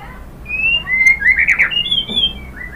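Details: White-rumped shama song meant to encourage other birds to sing: long smooth whistles and slurred glides in the upper range, overlapping with a softer twittering note.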